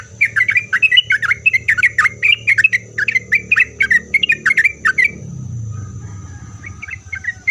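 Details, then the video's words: Lively sooty-headed bulbul song used to provoke other bulbuls into answering: rapid bubbly chirps repeated for five seconds, then a low rumble and a few softer notes at the end. "Kicauan Trucuk Gacor Ini Membuat Trucuk Apapun Pasti Langsung Nyaut buat Trucuk satu pasar Ribut.."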